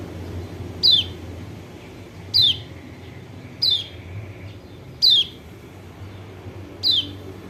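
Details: Lure call of a Lombok white-eye, known locally as kecial kuning, meant to stir a silent bird into singing: five piercing downslurred notes spaced about one and a half seconds apart, with low background rumble.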